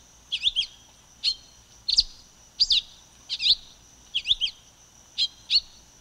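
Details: Silver-beaked tanager repeating bright, high slurred chirps in twos and threes, phrases spaced about two-thirds of a second apart, over a soft constant hum.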